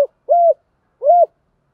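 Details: Decoy spotted dove calling to lure wild doves: two short, soft, hollow coos, each gently arched in pitch, about three-quarters of a second apart, with silence around them.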